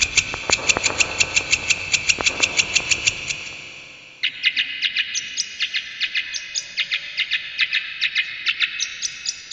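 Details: Brown shrike, a kept songbird noted for mimicking other birds, delivers rapid runs of sharp, high ticking notes several per second. After a brief break comes a second, looser burst of chirps and clicks.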